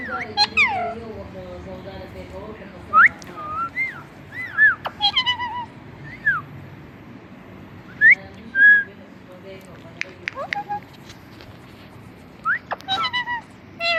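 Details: Pet talking parrot mimicking words, said to repeat "Mitthu Mitthu"; scattered clear whistled upslurs and downslurs mixed with short harmonic word-like calls, separated by quiet gaps over a low indoor hum.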